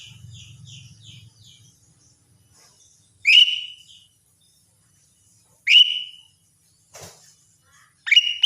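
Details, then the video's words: Caged greater green leafbird singing vigorously, used to spur reluctant birds to sing: faint soft chirps with a low hum at first, then three loud, clear whistled phrases spaced a few seconds apart, the last one rapid and ringing. "cucak ijo gacor untuk BAHAN yang susah bunyi"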